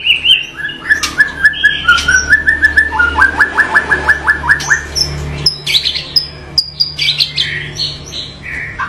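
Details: A white-rumped shama sings a rich mix of phrases. Clear whistled notes lead into a rapid even series of about ten sharp repeated notes, then high thin whistles and scratchy rough fragments, over a low hum.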